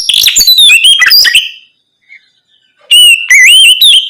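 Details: Oriental magpie-robin singing in the loud, open ngeplong style at night, used to prompt untrained birds to answer: rich whistled phrases with rising and falling slurs, a pause of over a second, then bright whistles resume.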